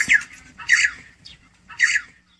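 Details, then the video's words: Red-billed choughs calling in Mongolia, heard in the background of an audio postcard: three loud harsh squawking calls, each about a quarter second, spaced roughly a second apart, with a fainter note between. "And in the background, we are hearing some red-billed chough."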